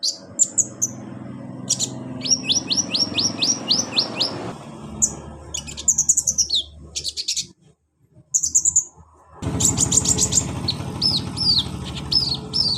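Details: Caged sunbird (kolibri ninja) singing fast series of high, descending chirps, six or seven in each run, with brief silent gaps and a steady low hum behind.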